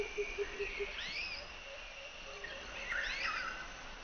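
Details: Asian fairy-bluebird (Irena puella) giving two bursts of liquid, swooping whistles that rise and fall. Four soft, low pulsed notes open the recording over a steady insect hiss.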